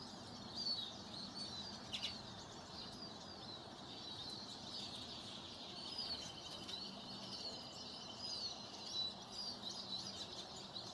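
Many small birds chirp and twitter at once in a high, busy chorus, with a steady thin hiss running beneath.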